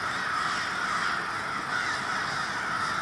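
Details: Large group of crows in Minneapolis, Minnesota, on February 20, 2020, cawing together in a dense, continuous chorus with no gaps between calls.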